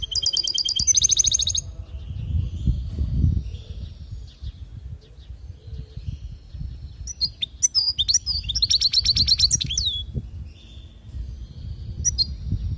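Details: European goldfinch from Palestine, 'lugha' song meant for teaching young birds: an opening buzzy, rapid trill, then a later burst of high twittering and sliding notes. Steady low rumbling noise runs underneath throughout.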